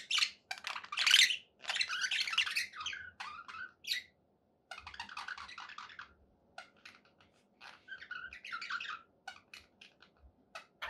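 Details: Happy pet budgerigars trading bursts of scratchy chatter and squawks separated by brief pauses, later sparser clicks and chirps and a warbled phrase, with a faint low hum behind.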